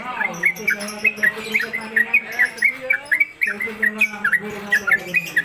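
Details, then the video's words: Caged Sooty-headed Bulbul (trucuk) in konslet kemedol style, hung on a gantangan pole and singing rapidly (ropelan): brisk, repeated whistled notes jumping up and down, about three a second, over a steady low hum. "Trucuk Konslet Kemedol Berdurasi"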